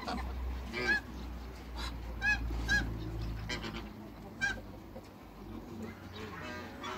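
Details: Pair of African geese in a backyard. Irregular short, clipped honks break out every second or so among rougher, breathy calls, with low rumbling noise throughout.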